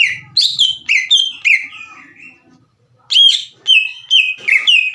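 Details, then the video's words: Green leafbird song played to make other leafbirds sing along: descending whistled phrases fading out, a second of quiet, then renewed loud clear whistles repeated at an even pace. "PANCINGAN CUCAK IJO GACOR AGAR CUCAK IJO BAHAN IKUT BUNYI"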